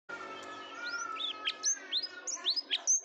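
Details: Canary used to prompt quiet canaries to sing, opening with a steady low whistle tone and then rising and falling whistled notes and brief sharp chirps at irregular intervals.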